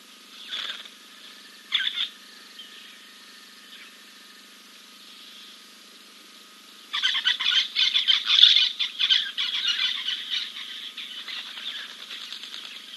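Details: Giant kingfisher at King's Camp on 2 April 2024, preening after a dip; two short harsh notes, then a fast dry rattle of clipped notes running about five seconds before tapering off, over a faint steady background hum.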